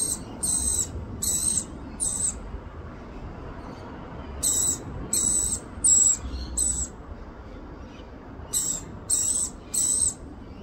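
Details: Australian rainbow lorikeet mother feeding her young: shrill, scratchy high bursts in three bouts of three to four rapid pulses, each bout separated by a few seconds of quiet low rumble.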